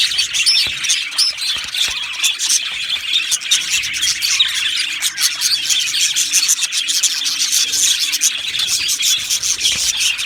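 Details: Budgerigars kept as an aviary colony, Australian parrots, keep up nonstop chirping song: lively high warbles, sharp ticks and squeaky notes overlapping from numerous birds.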